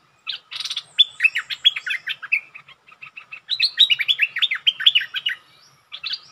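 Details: Bulbul used as a decoy bird, singing to challenge a territory owner; rapid bubbling runs of short, bright, chirping notes in two long bursts, with brief pauses and faint flutters between.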